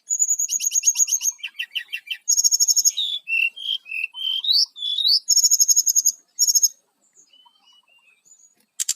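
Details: Lure song of a brown-chested jungle flycatcher for attracting wild birds, a dense, rapid medley of high buzzy trills, chirps and rising whistles, packed for nearly seven seconds before fading out.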